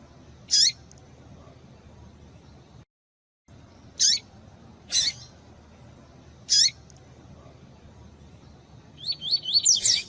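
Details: Double-collared seedeater, female calls meant to excite a male alongside male song: single piercing high call notes every one to two seconds, ending in a fast tumbling series of bright chirps.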